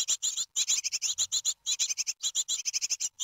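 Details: Nestling great tits being fed a big larva at their nest in Ostwald, France, 23 June 2020, give a near-continuous chorus of sharp, high-pitched chirps in quick succession with only short pauses.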